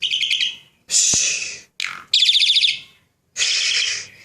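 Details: Asian pied starling, a Javan bird kept as a pet, singing: loud harsh buzzy phrases and rattling notes, broken by short pauses, with one sharp rising whistle.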